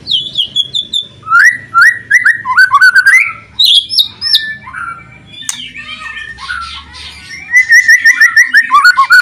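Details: White-rumped shama singing loudly, with loud crackling calls, to spur silent shamas into song: clear falling whistles and fast repeated slurred phrases, interspersed with harsh chattering notes, steady and varied throughout.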